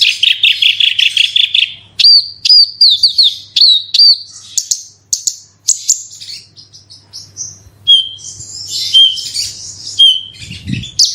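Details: Horsfield's bush lark (branjangan) lure song in 'roll tembak' style: opens with a fast rattling trill, then hooked whistles, scattered high chirps, buzzy passages and a few lower level whistles, with a brief low thump near the end.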